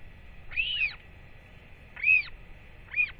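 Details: Northern royal albatross chick at feeding time with both parents home, 8.10.24; three separate arched wheeing calls, each rising then falling in pitch, spaced over about a second apart.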